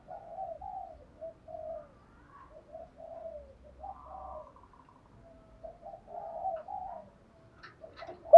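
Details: Female dove calling a male, kept as a decoy to lure wild birds: soft, low, continuous cooing in short wavering phrases, quiet throughout, with a sharp click at the very end.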